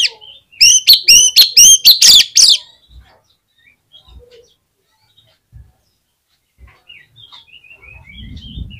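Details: Oriental magpie-robin in vigorous song (gacor), used as a lure to prompt other magpie-robins to sing: a two-second burst of about eight loud, rapid, harsh whistled notes, then near silence with faint distant chirps.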